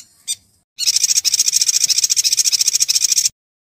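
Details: Yuhina song for training a white-rumped shama: one brief note, then a continuous high, rapid trill of about three and a half notes per second for roughly two and a half seconds.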